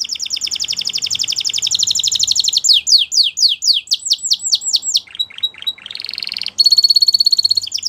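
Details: Spanish Timbrado canary performing a dense trill, then slow loud down-slurred whistles, short hooked notes, and a final rapid bright tremolo on one high pitch.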